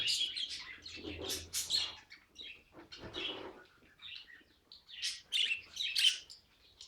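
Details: Scattered budgerigar chirps and squeaky whistles with clear gaps between them, ending in a louder cluster of sharp notes.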